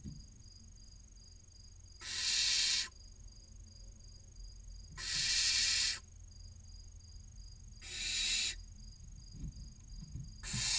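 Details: Barn owl young, six in one nest box in Cabañeros National Park, Ciudad Real and Toledo, Spain, waiting for food to arrive: four short, hoarse hissing bursts spaced about three seconds apart, softer, with faint rustling.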